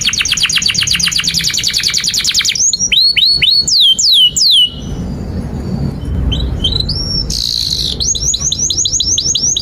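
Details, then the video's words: Canary song for teaching young canaries: a fast high rattling trill, then a series of hooked, downward-swept notes, a short quieter gap with background rumble, and a return of rapid trilling. "SUARA 19a Kenari GACOR PANJANG INI Cocok untuk Masteran KENARI PAUD dan Kenari Macet"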